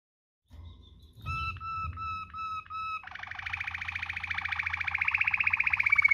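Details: Waterslager canary singing a luxurious rolling song (ngerol) for tutoring other canaries: a faint start, then steady whistled notes broken into short pulses, then a rapid continuous roll that climbs slightly and grows louder.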